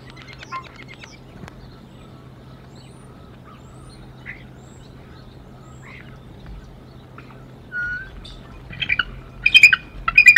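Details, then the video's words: Early-morning bald eagle pair at the Decorah nest, the female confronting the male beak to beak in a dominance display; after quiet with scattered small chirps, a closing run of loud, harsh stacked notes in quick bursts. "Mom Shows Dominance Over DM2"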